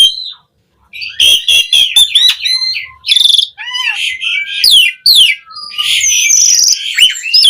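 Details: Varied song of a Javan pied starling: a lone whistle and a brief silence, then a dense medley of fast trills, buzzy rattles, sliding whistles and squawks, with soft low whistled notes in between.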